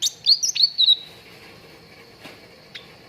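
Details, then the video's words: Cucak ranting song from a training recording for contest birds: a brief burst of high, sharp whistled chirps, then near silence with two faint clicks. "PANCINGAN CUCAK RANTING BAHAN AGAR CEPAT GACOR"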